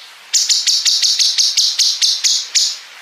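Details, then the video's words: {'caption': 'Bulbul used for training contest songbirds, delivering one rapid run of about eleven clipped, buzzy high notes in quick, even succession.'} "MASTERAN GACOR CUNGKOK ISIAN BREN PANJANG SAMBUNG NGEPIK"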